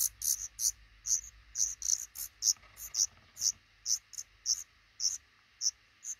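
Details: Black redstart at a nest built by a pair in a small nook under the roof above a front door, eggs hatching and five chicks being raised; sharp, high, short notes repeated about twice a second, with a low hum beneath.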